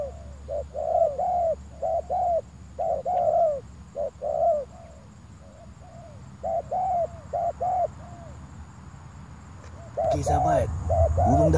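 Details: Spotted doves cooing while being lured: bursts of soft, hollow coos in rapid uneven phrases, pausing then resuming, with a loud rustling knock near the end.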